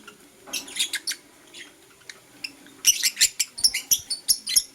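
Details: A blue opaline lovebird chirping in the morning, starting with a few scratchy notes and then breaking into a rapid, evenly repeated series of sharp, shrill chirps, about five per second.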